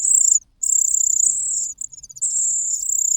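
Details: Loud hunger begging from a cuckoo chick raised with fed host chicks: sustained, piercing, high buzzy calls lasting over a second each, separated by short gaps.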